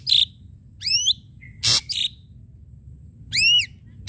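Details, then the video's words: Ashy drongo song used as a lure, its notes sharp: steep rising swept phrases, a short flat lower whistle, high chirps and loud harsh bursts, separated by brief pauses. "srigunting abu abu gacor PANCINGAN PUKULAN TAJAM"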